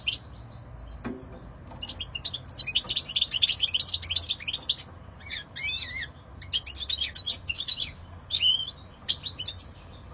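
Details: Long stretch of European goldfinch song: rapid, varied, high twittering and tinkling trills with buzzy and slurred notes, in phrases separated by brief gaps; a click early on.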